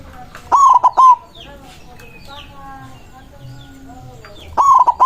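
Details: Powerful song of a white zebra dove, agitated and calling rivals. One low phrase of a rising hooked coo then quick repeated coos, and another phrase begins near the end. Sparse high chirps and faint whistles sound between them.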